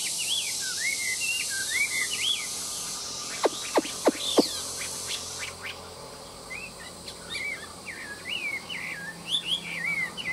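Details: Hwamei kept in a cage, singing at midday: wavering whistled phrases, a handful of loud clicks in the middle, then more up-and-down whistles over a steady hiss.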